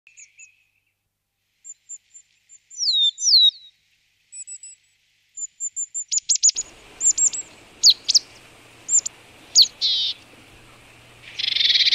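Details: Marsh tit calling on a frosty morning at −18 °C near boar remains, Vitebsk region, Belarus, 22 February 2013; sharp high chips and short downslurred notes, then a clear run of rapid calls with nasal buzzy bursts and a hissing rasp at the end.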